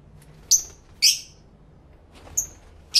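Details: Lovebirds recorded live in stereo with two external microphones, singing and talking to each other; sharp high chirps come singly, about four in three seconds, with quiet gaps between them.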